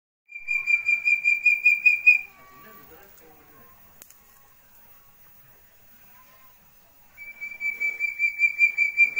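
A young Chestnut-bellied partridge gives rapid runs of high, thin piping whistles, two bursts separated by a quiet pause with faint background rustles.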